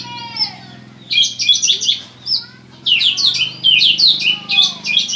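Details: Oriental magpie-robin in salto style imitating a bar-winged prinia: a thin descending whistle, then clustered bursts of high, sharp, repeated chirps separated by brief gaps, over a low mechanical hum.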